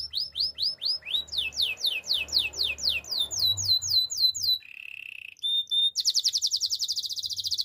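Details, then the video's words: An actively singing canary, recorded for training: long series of crisp downslurred whistles, about four per second, then a low steady roll, a short pure note and a high buzzy trill. "Active canary singing makes your canary sound"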